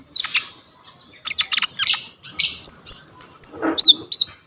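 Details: Coconut lorikeet (konin) in vigorous, varied singing, used as a tutor song for training kolibri ninja birds, recorded on a vivo Y21 phone: bursts of harsh high chirps, then a run of thin whistled notes repeated about every fifth of a second.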